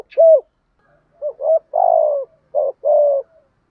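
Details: Spotted dove cooing, meant to rouse wild doves and train decoy birds. An arched single hoot, then a faster run of short hoots and longer burry coos, medium-low pitched and slightly falling, with a soft tick at the start.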